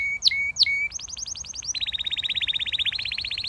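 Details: Canary in song: two sharp up-and-down notes, then a fast even trill that steps to a lower pitch and rattles on rapidly to the end.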